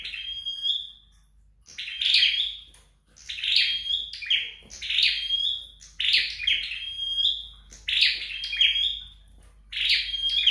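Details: Flowerpecker kept at home and being trained to sing: bright, high, sharp chirped phrases with thin whistled notes, repeated in bursts about every one to one and a half seconds, in a quiet indoor setting.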